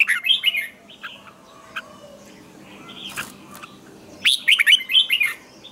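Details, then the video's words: Red-whiskered bulbul singing its morning song for training, with a double twisted note: bright whistled phrases of rising and falling notes, short bursts separated by quieter pauses with faint chirps. "luyện chào mào hót sáng hay nhất 2020, Âm kép xoắn căng, cách luyện chào mào hót căng lửa"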